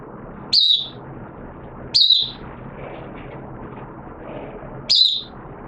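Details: Caged oriental white-eye (mata puteh) in wet weather, 6 September 2022, giving three brief piercing down-slurred notes spaced over about five seconds, with a continuous muffled noise bed beneath.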